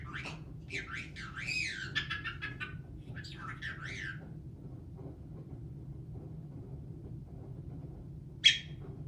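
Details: Pet caique parrot that sings, laughs and swears: a burst of warbling, squawky whistles rising and falling over the first four seconds, then quiet under a steady low hum, with one sharp click near the end.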